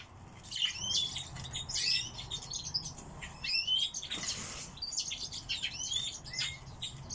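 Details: Captive song thrush kept as a pet, delivering a busy run of high whistled and scratchy notes, some rising sharply, in quick varied phrases, with intermittent rustling and clicks in the background.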